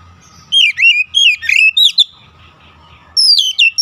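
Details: Oriental magpie-robin singing loud slurred whistles with sharp upward flicks in quick succession, a short pause, then higher clear descending whistles; faint low knocking sounds underneath.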